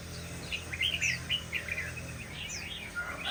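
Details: Shama song of quick, clear whistled phrases, slurred notes rising and falling in a rapid tumbling sequence over a faint low background hum.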